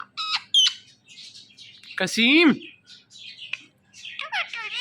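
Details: Indian ringneck parrot talking, saying "Mithu Mithu": short harsh squawky voice-like syllables with stacked tones, a loud gliding utterance in the middle, then quicker chattering notes near the end.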